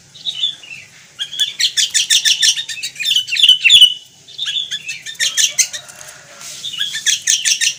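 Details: Indonesian sooty-headed bulbul, or kutilang, pouring out a busy stream of high, rapid chirps and slurred whistles in several long bursts separated by short gaps.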